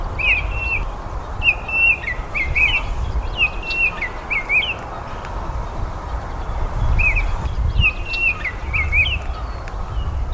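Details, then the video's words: Clear whistled song phrases from a Baltimore oriole, several quick slurred notes per phrase, delivered in two runs separated by a short pause, with low steady noise beneath. "BURUNG KICAU"BALTIMORE Oriole""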